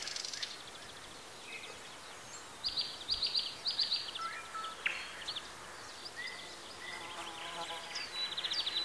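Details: Wild birds singing in Bessarabia, Ukraine, recorded on a Zoom H4n: scattered high whistled phrases and rapid trills, thin and fairly quiet over a steady background hiss.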